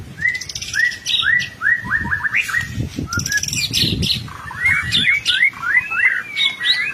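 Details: White-rumped shama singing as a lure for untrained shamas: a run of short rising whistled notes repeated about twice a second, brief chattering in the middle, then more upslurred whistles; low rumbling noise underneath.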